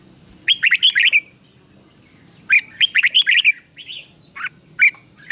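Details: Heated song of a red-whiskered bulbul used for training: gliding whistle then a rapid run of punchy warbled notes, repeated three times, with scattered single chirps and a faint continuous high tone behind.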